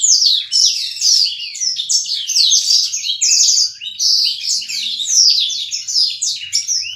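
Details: Caged black-throated canary in a pairing setup delivers rapid high twittering song made of repeated downslurred chirps and trills strung together in lively bursts, with a quiet background.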